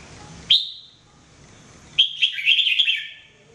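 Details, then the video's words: Singing jambul, or red-whiskered bulbul, in a training recording: one sharp whistled note followed after a pause by a fast, bubbling run of warbled syllables. "Training Jambul bird singing everyday 2017"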